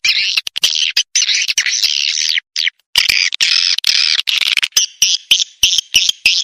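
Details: Lure to attract swiftlets: long runs of high, buzzy chattering twitter separated by short silent gaps, turning into quicker separate chirps in the final seconds.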